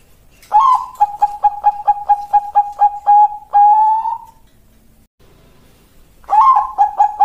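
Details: Bangkok contest-class zebra dove in song: a rising coo, then a rapid run of about twelve clipped, bell-like notes, a long drawn-out final note, a pause of two seconds, and the rising coo again.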